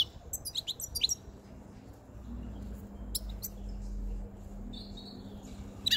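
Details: Singing European goldfinch, a white-chinned caged male taken five months before, near spring: scattered sharp twittering notes at the start, then sparse chips and a short buzzy trill over a low steady hum.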